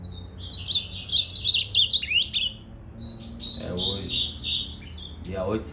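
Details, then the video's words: Captive male ultramarine grosbeak, recorded 8 September 2020 with its tail still regrowing, sings rich warbled phrases of quick rising and falling whistles in two bursts of about two and a half seconds, with faint voices behind. "Esse azulão tem que respeitar o Rei"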